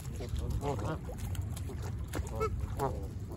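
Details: Canada geese by Lake Ontario at Humber Bay Park, Toronto, in autumn, sounding a quick cluster of honks followed by a few single honks, set against heavy low-pitched wind and water rumble.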